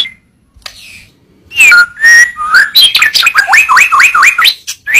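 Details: Murai batu (white-rumped shama) singing as a masteran: after a quiet start, clear whistled notes and slurs, then a fast series of repeated upswept notes about two per second.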